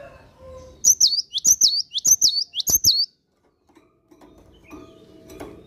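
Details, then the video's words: Four crisp, high two-note whistles from a cinereous tit in morning song, spaced evenly over two seconds, followed by quiet and faint distant sounds. "Kicauan Gelatik Batu Gacor Dipagi Hari"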